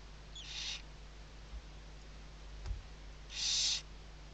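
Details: Barn owl chicks sheltering under their mother at a webcam nest in Riet Vell reserve, Ebro Delta, Spain, 2023; two short breathy hissing screeches, the second louder, over steady low hum.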